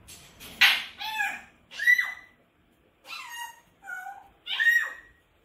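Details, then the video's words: Pet Grey parrot screaming: six harsh, raspy squawks with layered overtones, each about half a second long and spaced roughly a second apart, some sliding upward into sharper shrieks, heard indoors. "Mon gris du GABON crie"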